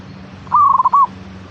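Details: A single zebra dove cooing phrase, played to prompt a caged bird to sing: steady opening note, fast stuttering pulses and a brief ending coo, with faint background hum.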